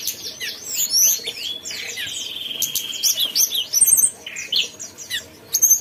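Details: Mountain tailorbird in energetic song, a dense run of high chirps and slurred whistles, a drawn-out buzzy trill, then scattered sharp notes and clicks.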